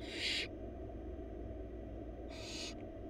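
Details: Four wild barn owl babies beg for food in their nest box as the mother delivers a huge rabbit; two loud raspy hissing screeches separated by a pause, steady hum beneath.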